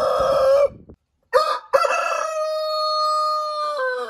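A rooster crows, with a short rough opening note, a brief pause, then a long sustained harsh cry that holds steady before dropping at the end.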